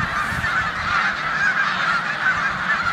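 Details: Snow geese in a corn field in Savannah, New York, 14 March 2020, sharing it with Canada geese; brief burst of thick, overlapping nasal honks from many birds, with low buffeting noise.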